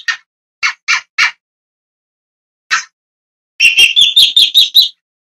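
Long-tailed shrike giving harsh, rasping notes: four scratchy calls, a single one after a pause, then a quick grating run of about eight.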